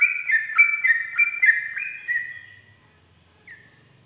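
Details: Dawn 'ropel' song of a sooty-headed bulbul: a quick burst of five or six rich whistled phrases that fades out after two seconds, then one faint lone note near the end in near silence.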